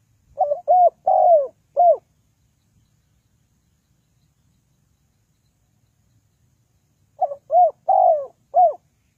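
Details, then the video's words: Spotted dove call used as a trapping lure: two bursts of four hollow cooing notes, a short pause between them and a long silent gap of about five seconds in between. "The Sound Of Spotted Dove is very good"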